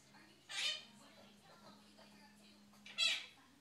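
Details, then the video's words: Pet six-month-old monk (quaker) parakeet talking to the dog indoors, giving two short, high, raspy, voice-like utterances about two and a half seconds apart, over a faint steady indoor hum. "Quaker parrot talking"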